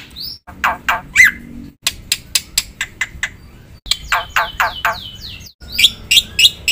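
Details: Black-winged myna song, quieter and broken up: scratchy, buzzy notes in short runs, an isolated clear whistle, then bright chirps near the end, separated by short gaps.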